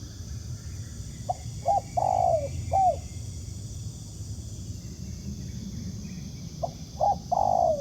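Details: Wild spotted dove, a good cooer, responding to a ground decoy while being trapped: soft clipped notes lead into a long falling coo, with a second phrase starting near the end and low rumbling background noise.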